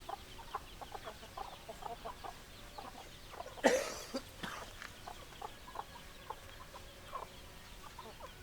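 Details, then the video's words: Hens clucking in a flock: many short, low clucks scattered irregularly throughout, with one sudden loud broadband burst near the middle. "Chicken Sounds Noises Hens Clucking Roosters Crowing"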